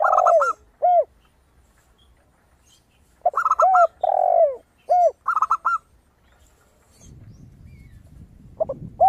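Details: Crystal-voiced zebra dove singing for luring. Bright staccato bursts alternate with low spotted dove coos, followed by a stretch of rustling noise near the end.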